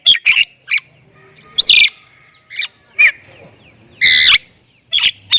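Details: Javan myna, Thailand type, in full isian chatter: scattered notes, some clear whistles, plus two loud, long, harsh rasping squawks, with silent pauses between them.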